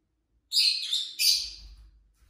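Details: Pet lovebirds kept indoors, a mixed group of colour varieties, chirping: two loud, harsh, high-pitched bursts about a second apart, each a dense screechy chirp trailing off, with faint low rumble afterwards.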